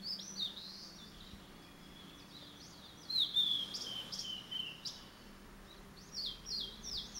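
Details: Male blue-and-white flycatcher singing actively: clear, high whistled phrases, some sliding down, others quick slurred notes, over a steady background hiss.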